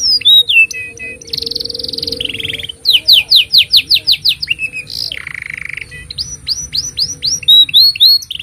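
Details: Canary singing long, used as a training model for young canaries and to prompt silent ones; buzzy rolls, a series of rapid descending whistles, a low churr and repeated rising-falling notes, with a faint steady hum beneath.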